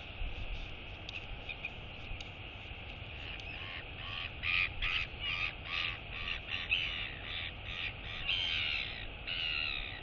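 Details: Royal albatross chick, female, woken by her mother's arrival for feeding, giving harsh, raspy wheeing calls in quick pulsing bursts that grow louder after a few seconds, over a steady rush of wind.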